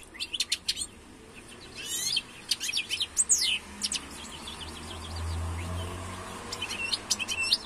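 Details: European goldfinch giving quick high twittering notes and sliding chirps in short bursts, with a low droning hum throughout and a louder rumble partway through.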